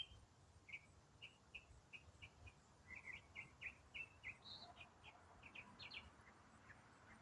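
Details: Uninterrupted autumn song from one songbird: a rapid series of short, sharp whistled notes repeated about three per second, followed by higher chirped figures. Light background hiss.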